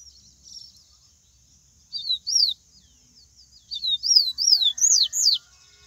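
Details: Bahian-style song of a wild yellow-bellied seedeater: paired high, swooping whistles, a pause, then a longer run of arching slurred notes that grows louder toward the end, over a constant thin high background tone.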